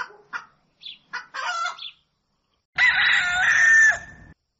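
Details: Rooster at dawn: a few short clucks and squawks, then a loud drawn-out crow lasting about a second and a half, holding a steady strained pitch before breaking off.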